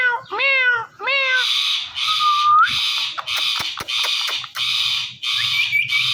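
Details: Indian ringneck parrot repeatedly calling "Mithu". Three quick, speech-like harmonic syllables are followed by a rising whistle and long, harsh, grating screeches repeated every second or so.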